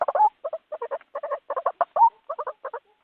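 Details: White-breasted waterhen recording used as a lure for trapping birds: bursts of short stuttering, clucking notes in quick groups of three to five, with a couple of louder rising croaks, separated by brief silences.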